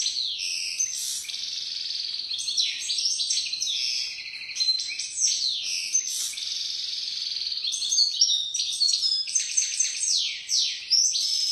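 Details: European goldfinch, called a first-rate 'pisador' singer, in a continuous rapid twittering song of high tinkling notes, buzzy trills and quick descending slurs, sustained for the whole stretch with no pauses.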